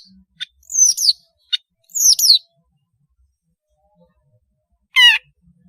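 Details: Melodious long-tailed shrike song for young shrikes to learn from: a few loud, descending whistled slurs and clicks, then a pause and one buzzy trilled note.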